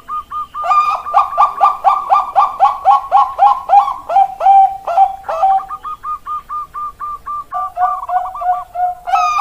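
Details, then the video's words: A Bangkok-type zebra dove (perkutut) singing gives quick runs of soft, staccato cooing notes, about four a second, then a slower string of clipped, bubbling coos. "Suara Perkutut"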